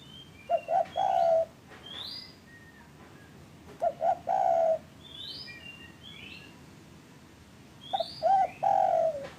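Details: Spotted dove cooing, used as a lure to get sluggish or untrained caged doves calling: three low hooting phrases, each a short note, a rising coo and a long drawn coo, spaced about four seconds apart, with thin high chirps from other birds between.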